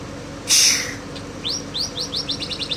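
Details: White-rumped shama from Aceh imitating a canary: a sharp broadband burst, then a fast series of short, bright, rising whistled notes, about nine in just over a second, with steady low hum behind.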